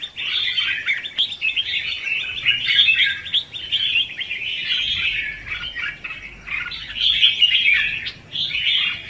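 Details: Red-whiskered bulbul in competitive 'hót ché' song, a decoy sound for trapping and training. An unbroken stream of jumbled warbles and chirps that swells and dips in loudness.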